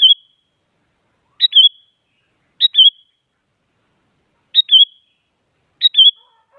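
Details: Sooty-headed bulbul singing actively to provoke rival bulbuls: five short, bright phrases of two or three quick whistled notes, repeated at uneven gaps of roughly one to two seconds.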